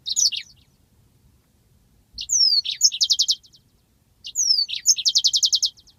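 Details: Training master of a yellow-fronted canary's rolling song: three phrases, each a quick downslurred whistle followed by a crisp series of about eight loud, evenly spaced high trill notes.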